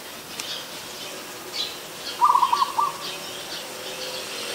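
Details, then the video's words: Adult zebra dove recorded in Ubon Ratchathani, Thailand, on 24 December 2020, producing a single rapid, rattling series of short coo notes lasting under a second amid light background chirps. "นกเขาชวา (Zebra Dove)"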